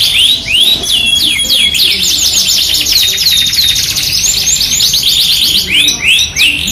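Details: A Yorkshire canary in full song, kept as a tutor and lure for other canaries: clear whistled upslurs and downslurs open and close the phrase, framing a long rapid chattering roll of tightly repeated high notes.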